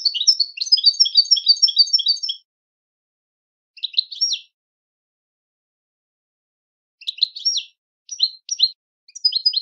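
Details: European goldfinch sings a quick, tinkling twitter of high, liquid notes, first in a dense two-second run, then in short bursts separated by silence.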